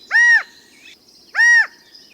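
Two loud, nasal, arched California quail advertisement calls, each about a third of a second long and spaced just over a second apart, over quiet background.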